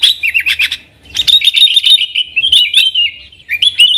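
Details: Yellow-vented bulbul in full, constant song, used as a lure to call wild sooty-headed bulbuls: bursts of fast chattering notes, a pause near one second, then a long run of twittering, slightly rising and falling phrases.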